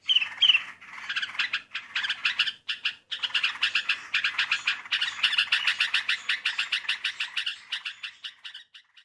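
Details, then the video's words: Sooty-headed bulbul sounds used as a bird-catching lure: loud squawky notes open, then a fast run of harsh, clipped chattering notes repeated steadily for several seconds, fading near the end. "PIKAT BURUNG TRUCUKAN!!! SUARA MERDU!!!"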